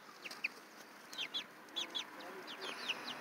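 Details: Baby chickens giving thin, high, downward-sliding peeps, about ten short chirps scattered irregularly over three seconds, some in quick pairs, faint against a steady background hiss.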